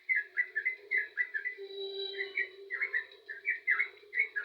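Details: Yellow-vented bulbul singing lively, energetic phrases: bursts of rapid bubbly warbled notes broken by short gaps, over a constant low droning hum.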